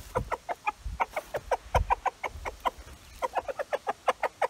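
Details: A rooster calls the flock over to a find of beetles and mosquitoes, a treat of many bugs at once. He gives quick, regular clucks, about four per second, with a steady pulsing rhythm throughout.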